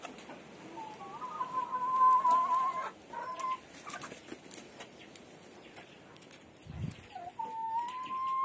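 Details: Hens in the laying coop produce long, steady whining calls that rise slightly and hold, repeated after a pause, amid soft knocks and rustling.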